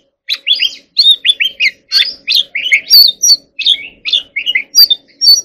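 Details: White-rumped shama song of short, repeated whistled phrases, each a quick downslurred or two-part note, given in a steady run of about fifteen bursts with brief gaps, over a faint low hum.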